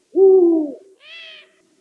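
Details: Eurasian eagle-owl giving one low, slightly falling hoot lasting about half a second, followed by a shorter, fainter and higher-pitched harmonic call; otherwise quiet.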